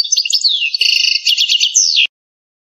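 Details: Algerian goldfinch canto campero: an unbroken two-second run of bright twitters, fast trills and a falling slurred whistle that ends abruptly, followed by silence.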